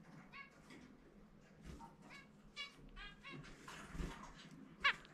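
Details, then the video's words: A pet zebra finch during indoor free-flight time sings its individual song: short, nasal, buzzy notes in a quick, uneven string, like toy-trumpet beeps, ending with a sharp high chirp over faint room noise. "キンカチョウ 個性的な鳴き声・さえずり ちゅみちゅみぺー"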